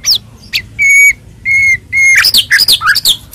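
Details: White-rumped shama, full-isian masteran song: three level pure whistles spaced about half a second apart, followed by a tumbling series of quick high twittering notes.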